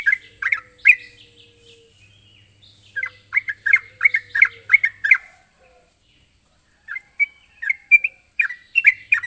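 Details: Sooty-headed bulbul calling a rival, giving irregular bursts of quick, chattering chirps in three bouts separated by short silences, moderately distant-sounding, with a steady thin high tone in the background.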